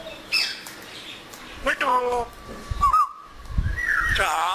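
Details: Pet African grey parrot enjoying the weather and talking in Urdu and Pashto. A harsh squawk with stacked harmonics comes first, then a level whistled tone with a small wobble, and a rising squawky note at the end.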